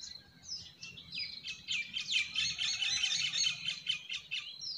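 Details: Several forest birds sing together in a spring forest, with stream sounds also present: a dense tangle of high, quick chirps, trills and whistles over a faint low rumble underneath.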